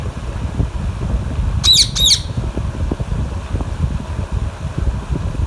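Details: Alexandrine parakeet (Psittacula eupatria) eating mango gives two harsh, grating squawks in quick succession, then falls quiet over a steady low rumble.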